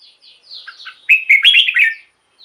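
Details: Quiet high slurred notes build into one strong, rollicking whistled phrase: red-whiskered bulbul song for luring or exciting caged bulbuls.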